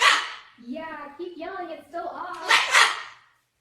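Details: Cockatoo giving harsh, broadband screeches at the start and again near the end, with softer, voice-like warbling chatter in between.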